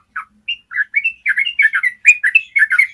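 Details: Yellow-vented bulbul building a long trill, used to train other bulbuls to sing: a few spaced, slurred notes that quicken into a rapid, bubbly chatter.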